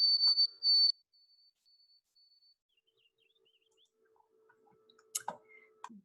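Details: White-throated Sparrow song, rendered as "oh sweet canada canada canada": two loud, steady, clear high whistles, then a fainter run of repeated whistled phrases, with a few clicks and knocks near the end.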